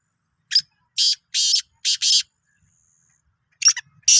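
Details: Sindhi black francolin (kala teetar) calling, dated 16/03/2023: a grating phrase of five harsh, scratchy notes, a short pause, then two more rasping bursts, with a quiet background.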